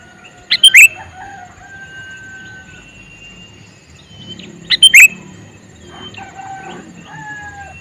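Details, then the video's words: Two brief, loud, bubbly calls from a male sooty-headed bulbul, about four seconds apart, with long, thin whistles and softer chatter from other birds filling the gaps. "Suara Burung Kutilang Jantan MeManggil"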